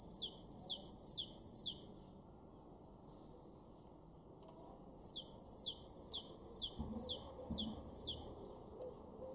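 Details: Great tit in a garden in Weener, East Frisia, northwest Germany, April 2023, singing bright, ringing two-note phrases, repeated quickly in two bursts of four and eight, over a soft background hum.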